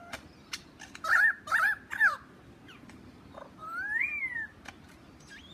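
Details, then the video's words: Lyrebird in Australia calling close to a man and seemingly interested in him: three loud, harsh downslurred notes in quick succession, then a pause and a long rising-then-falling whistle, with scattered sharp clicks throughout. "Lyrebird in Australia talking to an Englishman!"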